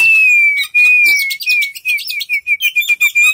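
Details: Oriental magpie-robin with its tail fanned open, singing a fast, varied run of sharp chirps and high whistled notes, several per second, over a steady thin whistling tone.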